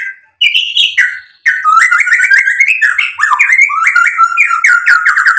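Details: White-rumped shama singing continuously to provoke rivals, unloading its learned mimicry: an opening whistled phrase, then a long rapid string of clear, bouncing, whistled notes rising and falling without a break.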